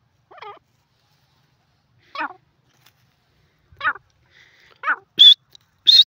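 Grey francolin giving harsh, repeated call notes, ending in shrill, piercing higher notes.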